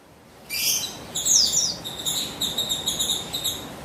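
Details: Female Javan white-eye of the buxtoni form, sung to provoke a male into singing: after a short pause, an abrupt burst of high twittering, then sweeping whistles and rapid, pulsing high-pitched warbles.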